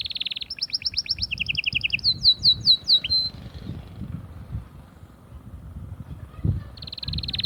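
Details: Song of an Atlantic canary meant to stimulate hens for mating: a rolling trill and faster rattle lead into a few sharp downslurred whistles, then a quiet gap with faint background rumble before a bright rapid trill resumes.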